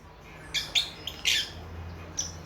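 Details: Lovebird chicks a few months old talking together: a handful of short, harsh high chirps in quick succession, with a low steady hum behind.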